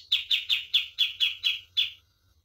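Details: Common iora master song for training birds: eight crisp, evenly spaced downward chip notes, then silence.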